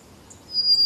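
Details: A White-crowned Sparrow near Portland, Oregon, gives a single thin, clear, high whistle that swells and holds steady, preceded by faint high chips against a quiet background.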